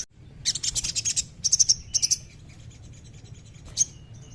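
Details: Crimson sunbird song meant to get a captive bird singing: bursts of very high, rapid buzzy chirps in short trills, separated by brief pauses, then a lone sharp note near the end over faint background hiss.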